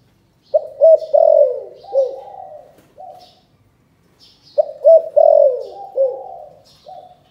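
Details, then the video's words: Spotted dove, Can Tho, Vietnam, calling in the 'chụp chụp ô' coo style: two matching phrases separated by about three seconds of silence. Each has sharp clipped openers, a loud falling coo, and a quiet drawn-out tail. "Chụp chụp ô gáy gọi Thái Vân hoa : Cu gáy Cần Thơ"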